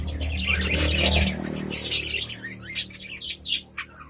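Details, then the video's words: Adult budgerigars in a cage exchanging calls; a low rumbling noise fills the opening second, followed by separate bright chirps and short twittering phrases roughly once a second. "Suara Merdu Burung Parkit Dalam Sangkar"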